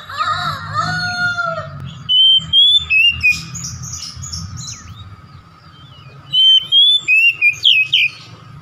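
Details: Oriental magpie-robin used as a lure to draw out a home-kept bird's repertoire. Softer mixed warbles open, then two loud runs of five or six sharp whistled notes each, separated by a quiet gap, over a steady low hum.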